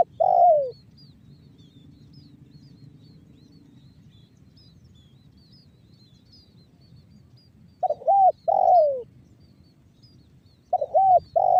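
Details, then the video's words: Lure calling of a spotted dove in the banggo bocor style, Cirebon Utara, West Java. Three spaced coo phrases of soft, hooked double notes with long quiet gaps between them, and faint high chirps from other birds. "SUARA TEKUKUR BANGGO BOCOR"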